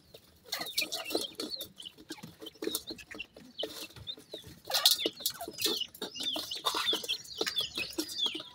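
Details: Newborn Sindhi partridge chicks, recorded in a field in Pakistan, utter a steady stream of high, sharp peeps and chirps among scattered clicks and rustling.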